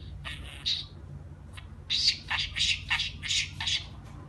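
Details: Budgerigar kept as a pet chatters in a quiet room: a scratchy opening phrase, a pause with one faint note, then a dense series of rough, squawking syllables repeated quickly.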